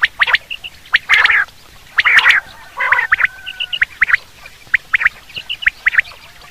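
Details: Common quail heard for hunting, a few rough gargled notes early on, then a looser run of single sharp clicking pips.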